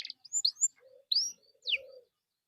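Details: Canary song played to prompt other canaries to sing: a sparse, short phrase of high whistled upslurs and downslurs with a few low buzzy notes, separated by brief silences.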